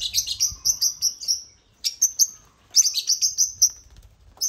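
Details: African lovebirds (Agapornis) clustered on a millet crane in a construction-themed setup give dense runs of shrill, metallic chirps in quick bursts, separated by brief pauses.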